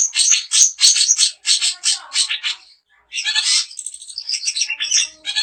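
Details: Daput-type long-tailed shrike song meant to provoke other shrikes into singing: rapid, crowded scratchy phrases, a brief pause near the middle, then mixed chattering and thin whistled notes.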